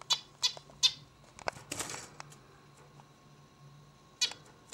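Zebra finch giving buzzy, nasal notes, three in quick succession, then a scratchy jumble and one more note, over a faint low hum.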